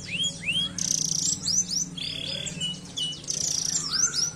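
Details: Canary song mixing arched whistled notes with bursts of dense buzzy trills and harsh twitters, fairly varied and uneven, with a faint low hum throughout.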